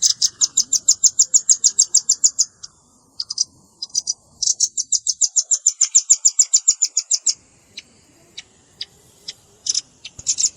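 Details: Red-billed rambatan lure recording for bird trapping, mixed with juvenile calls: fast series of sharp, high chips, about three per second, in two long runs separated by a short gap, then scattered single notes.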